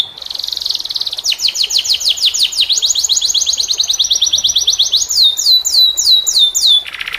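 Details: Canary song with a unique cengkok style, used as masteran to train other canaries: fast rolling trills of high repeated notes, about three per second, shifting into slower downward-sweeping whistled notes near the end.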